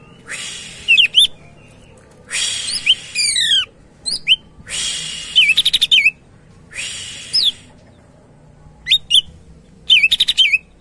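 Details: Greater green leafbird in lively gacor song for luring other birds. Harsh buzzing phrases repeat every couple of seconds, mixed with falling whistled runs, curling chirps and rapid stuttered notes.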